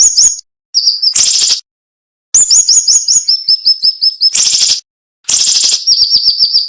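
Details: Siri-siri flowerpecker giving its dense, sharp tutor song: high clipped notes, a loud buzzy burst, a pause, then a fast run of upslurred chips stepping lower, two more rasping bursts and further high ticks.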